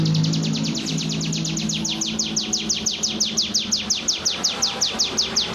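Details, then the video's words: Common iora singing in the drawn-out ngebren style: a fast, even run of high, sharply falling notes, nearly three per second, that keeps going without a break over a low steady hum. "CIBLEK NGEBREEEEEENNNN KEREENNNN..."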